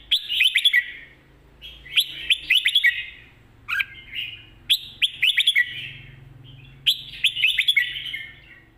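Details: Red-whiskered bulbul in lively mae bot sap krajai style singing: bright whistled phrases of several rapid notes, repeated roughly every one to two seconds over a faint low hum.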